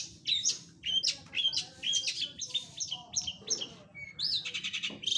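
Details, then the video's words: Long-tailed shrike in full, lively song: quick bursts of high, harsh chirps and short whistled notes, about two per second, uneven in rhythm, ending in a rapid buzzy trill; a faint low murmur underneath. "KICAU MANIA CENDET GACORR"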